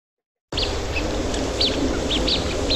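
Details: Blue-winged Teal, a small Midwest duck whose call doesn't sound like a typical duck, giving thin, high, whistled peeps, about six short notes in two seconds, over steady background hiss.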